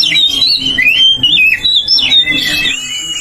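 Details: Ngeplong song from an Oriental magpie-robin, played to set others singing: a flowing line of clear, bending whistles rising and dipping, mixed with a few rougher notes, sustained without break.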